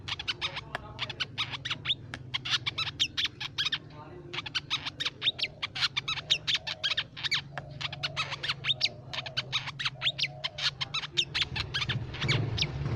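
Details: Crimson sunbird song used as a lure for songbirds: long, busy stream of sharp high chips and twittering trills, almost unbroken for thirteen seconds, with a faint low drone underneath.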